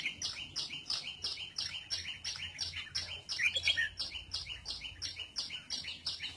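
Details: Red-whiskered bulbul sunbathing, with high, sharp chirps repeated steadily about three times a second throughout, a slightly lower warbled phrase midway, and a faint low hum underneath.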